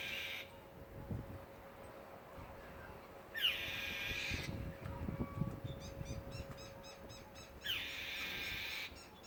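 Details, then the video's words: A small bird, said to miss its family, cries on a Memorial Day holiday weekend: three long, hoarse, hissing screeches roughly four seconds apart, each starting with a downward slide, with faint rapid chirps between them and a steady low hum. "Bird cries so sad strange sounds"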